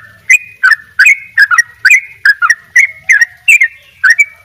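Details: Sooty-headed bulbul (trucuk bali) in the double 'ropel' gacor singing style: bright slurred chirps about three per second, each with a sharp click-like onset, alternating rising and falling notes.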